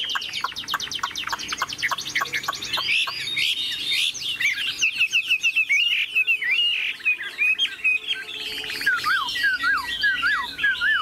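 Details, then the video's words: Large caged Chinese hwamei song: a fast series of sharp repeated notes opening into looping whistled slurs and trills, dropping to lower curved whistles near the end, delivered continuously with short gaps. "Chim họa mi bộ to như khướu, dáng ngũ trường, giọng hay"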